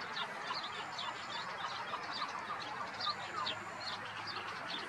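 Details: Common tern, Blato gravel pit, Zagreb, Croatia, 26 May 2022: a busy series of piercing, clipped, descending calls, several overlapping, against steady background hiss.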